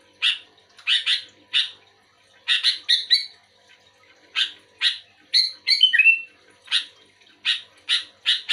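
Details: Sooty-headed bulbul singing actively in response to another bulbul: clusters of harsh, buzzy chattering notes repeated roughly every half second, broken mid-way by a quick run of clear whistled phrases that slide downward.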